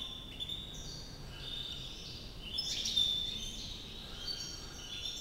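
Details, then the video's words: White European goldfinch in Climat de France, Algiers, singing a rapid run of high tinkling twitters and chirps with a brief clear whistle near the middle, over a steady background hiss. "trés beaux chardonneret blanc"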